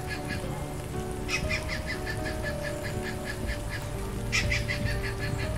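Stork-billed kingfisher giving a loud, harsh cackling series of rapid rasping notes, about four a second, over a steady low rumble and hum.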